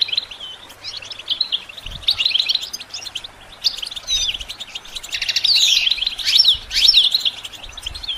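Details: A goldfinch sings for songbird training: rambling, buzzy twittering with twanging slurred notes and sharp whistled upsweeps in the second half, mildly hissy background.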